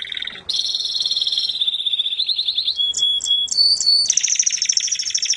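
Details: Melodious canary song: long sustained whistled notes, rapid buzzy trills, then high repeated tinkling phrases and a fast rattling trill, continuous and loud.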